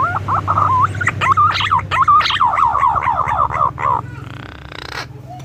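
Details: Adult green pigeon singing a run of mellow, wavering whistled notes, about a dozen looping and bending notes in quick succession that fade into a brief rustling noise, over a constant low background hum.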